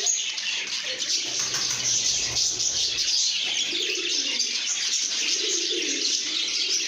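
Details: Good-mood lovebirds chirping and singing: continuous shrill twittering from many birds, a low hum early on and gentle low cooing phrases later.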